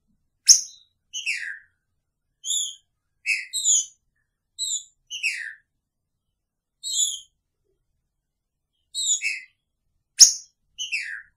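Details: Green-winged saltator singing Picharro style while caged with a female: a long run of short, high, downslurred whistled notes in small clusters, irregularly spaced over about eleven seconds, with clean silence between.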